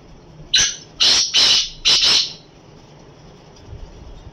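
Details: Black francolin calling: one short sharp note, then three loud, harsh, rasping bursts in quick succession, each about a third of a second long, over a quiet background.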